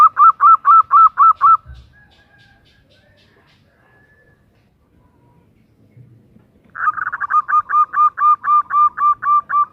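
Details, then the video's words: Female zebra dove calling to a male: a fast run of clipped, ringing notes about four per second, broken by a silent pause of roughly five seconds, then a second equally rapid, even burst of notes. "Perkutut betina memanggil JANTAN - Suara BETINA GACOR Mengundang Bunyi"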